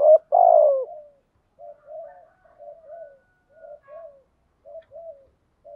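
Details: Spotted dove decoy cooing to lure birds in the rainy, stormy season; a loud two-part coo, then a series of quiet, short, low coos in pairs, spaced roughly one second apart.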